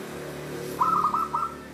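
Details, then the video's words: A local zebra dove's 'Cristal tembus' song style: after near silence, one clear phrase of several fast, hollow, ringing coos runs about seven-tenths of a second. "Contoh suara perkutut lokal Cristal tembus"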